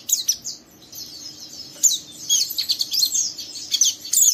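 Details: Young oriental white-eye giving rough 'ngeriwik' twittering to prompt another white-eye; fainter high chirps at first, building into denser scratchy twitters in the second half.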